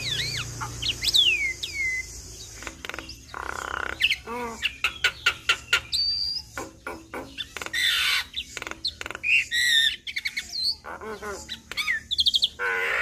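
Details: Javan myna in energetic song laden with imitations, meant as a lure that other mynas respond to: dense rapid clicks and rattles, harsh buzzy bursts, and scattered high whistled slurs in a busy, shifting stream.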